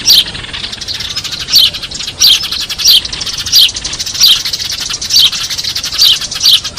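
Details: Eurasian tree sparrow lure sound for trapping: bright, downward-slurred chirps repeated roughly once a second, with a dense, buzzing chatter of other sparrows behind.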